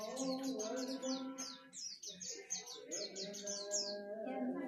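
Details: Rapid white-eye song: a long, even series of high, sharply descending whistled notes, about four per second, with a short pause midway, over a steady low harmonic background hum.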